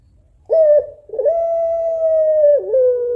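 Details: Calling the male, a female African collared dove (puter pelung) gives a short opening coo, then one long, flat, sustained coo that dips briefly and settles slightly lower.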